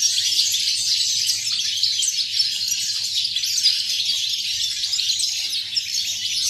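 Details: Dated 8.11.2018, a European goldfinch pours out quick, high, jingling twitters and chirps in an unbroken run, evenly loud, over a soft low hum.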